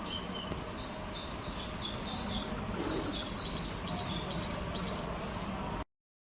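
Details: Varied tit, a local bird heard on weekend neighbourhood birding, gives a quick run of thin, high twittering notes, growing busier toward the end, over a steady low rumble of background noise.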